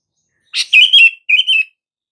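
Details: Sooty-headed bulbul calling to draw a reply from silent bulbuls: a sharp onset, then two fluid warbled phrases in quick succession, with no other sounds.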